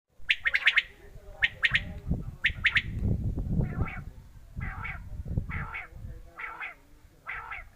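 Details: Quail calling with short, harsh, scratchy bursts repeated in quick pairs and triplets, then softer, lower grouped notes, over a steady low rumble of background noise.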